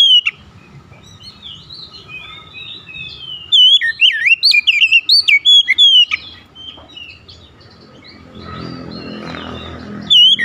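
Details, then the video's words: A rival kacer's song sets off an emotional Oriental magpie-robin. A short note is followed by a pause, then a fast cascade of looping, slurred whistles and sharp chips midway, and then a low background rumble. "SEKALI BUNYI KACER LAWAN LANGSUNG NAIK EMOSI BONGKAR ISIAN"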